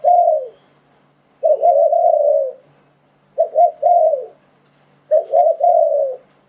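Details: Spotted dove call used for luring wild doves into traps: three clear coo phrases, each a short note then a longer drawn coo, repeated about every two seconds over quiet background.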